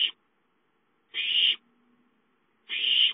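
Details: Owlet calling for food at home, 5-9-13: three drawn-out, rasping hiss calls, each about half a second, around 1.5 seconds apart, with a faint low hum between.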